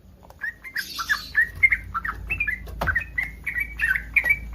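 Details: Bubbly slurred notes from a yellow-vented bulbul in breeding condition, calling to provoke other bulbuls into responding. The notes are mixed with fluttering wing noise and a sharp tap partway through.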